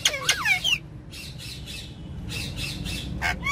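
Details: Ringneck parrots, kept as pets, on a car back seat: a burst of harsh, harmonic squawks in the first second, then a soft rushing background, then more sharp rising screeches near the end.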